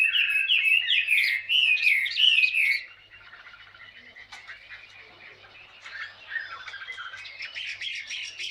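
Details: Wild-caught Chinese hwamei with green-toned plumage, two years in a cage, singing in ngũ trường style: loud, rich whistled phrases sliding and looping for three seconds, then softer, rambling warbles with a faint low hum underneath.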